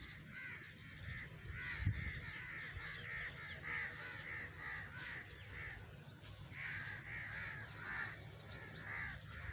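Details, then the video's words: Crows give a fast run of short, harsh caws, about three a second, with a pause and then another burst, over a low rumble of background noise. "crows || crowing sound"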